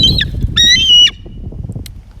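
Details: A small adult female bald eagle of about seven pounds, excited and expecting food, gives two thin, high, squeaky chittering calls, the second drawn out for about half a second, over a low indoor murmur.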